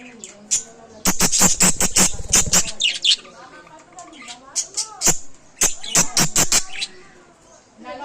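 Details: A happy pet budgerigar chatters in bursts of sharp clicks, squeaks and warbled notes with brief pauses between.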